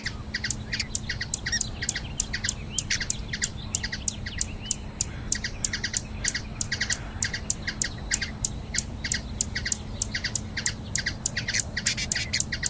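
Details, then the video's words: Long run of rapid, sharp high chirps from a hummingbird in Brazil, closely spaced and nearly continuous, with a faint steady low hum beneath. "Ouça o canto beija flor"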